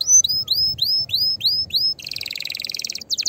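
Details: Canary singing fiercely to stir other canaries into song: repeated rising whistled notes several per second, followed by a dense, harsh buzzing trill.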